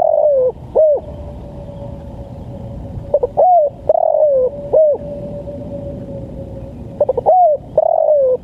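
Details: Spotted dove in the lambungkuk calling style, used for training and luring birds: soft, mellow coos with short stuttering notes before a drawn-out, falling coo, phrases spaced a few seconds apart over a steady, even hum.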